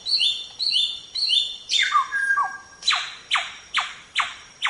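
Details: Samyong singing on a training recording for songbirds. Three repeated descending whistled phrases with bright overtones, then a falling slurred note, then five sharp downward-swept notes spaced about half a second apart. No other sounds.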